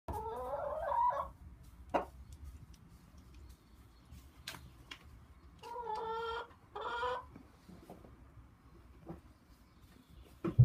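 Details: Chicken clucking quietly: a few short, nasal clucking bursts near the start and in the middle, separated by stretches of soft low background noise and scattered clicks.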